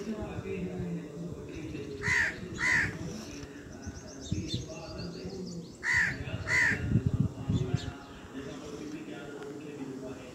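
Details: Black francolin, called kala teetar, recorded in Pakistan: two pairs of loud grating notes about four seconds apart, separated by a murmur of voices and a low rumble, with faint chirps higher up.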